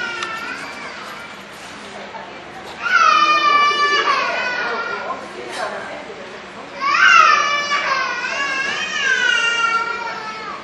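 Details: Barn swallow chicks in a nest under shop eaves near Kintetsu Ikoma Station, Nara, Japan, beg with parents present in shrill, harmonic bursts of overlapping calls that swell and fade about every four seconds, over a low hum.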